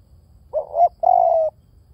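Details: Low, mellow call of a spotted dove: a short coo climbing to a brief peak, a tiny pause, then a sustained throbbing coo lasting about half a second.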